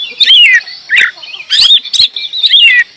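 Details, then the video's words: Energetic oriental magpie-robin song: rich slurred whistles descending and rising, mixed with scratchy buzzy notes and crisp clicks in quick succession over three seconds. "Kacer gacor"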